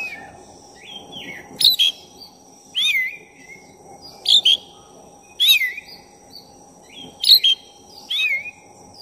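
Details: Oriental magpie-robin, black-breasted type, in full song meant to raise another bird's excitement: repeated phrases roughly every 1.3 seconds, each a scratchy double burst followed by a clear whistled slur, with low background hum.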